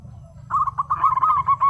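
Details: Local zebra dove, singing actively: a blurred, fast rolling series of soft coos, slightly wavering, packed closely together for just over a second.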